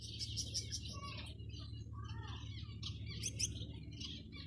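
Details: Gouldian finch; courtship song; male courting a female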